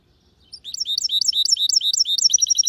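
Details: Goldfinch hybrid song starting after brief quiet, with bright high twittering phrases repeated quickly and a rapid high trill at the end.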